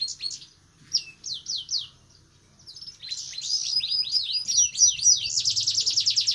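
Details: Breeding-condition red siskin singing ngerek: a few sharp high slurred notes, a short pause, then an accelerating stream of rapid, buzzy descending notes building into a loud continuous rattling trill; a low hum lies under it.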